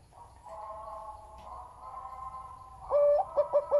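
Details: A background chorus of softly cooing doves, then a big-voiced zebra dove bursts in close by with a held note and several short, sharp repeated coos at the same pitch.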